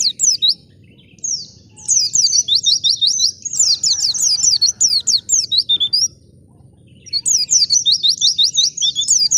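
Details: White-eye in the wild, its song meant to lure and provoke other birds to sing. Bursts of rapid high chirping separated by quiet gaps: a short opening phrase, a long twittering run, silence, then another fast series.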